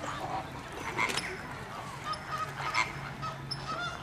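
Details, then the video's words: Plumed whistling ducks at Slimbridge give short, shrill whistled notes in scattered bursts, several birds overlapping, over a steady rushing background. "Plumed Whistling Duck"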